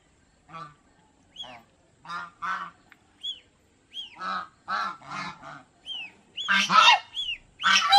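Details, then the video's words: Domestic geese at an aquarium park in Mysore, India, honking in short rough nasal bursts that grow louder toward the end, interspersed with high upslurred chirps from other birds. "Call of geese"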